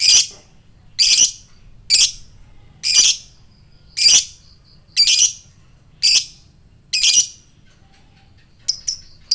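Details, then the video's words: Lovebird kept as a fighter bird giving ngekek to spur other lovebirds to answer quickly: rasping, high chattering bursts repeated about once a second, eight in a row, then a few short sharp chips at the end. "Lovebird fighter ngetik NGEKEK koek,ampuh memancing lobet bahan cepat respon dan NGEKEK"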